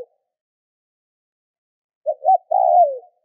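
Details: Spotted dove call used to stimulate other doves to call: after a silent stretch, two short low coos followed by a longer drawn-out coo that falls slightly at the end.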